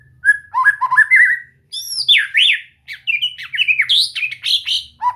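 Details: A white-rumped shama, trained to sing freely, gives a dense, fast song of sweeping whistles, rapid trills and high buzzy notes in three bursts, with short gaps between them.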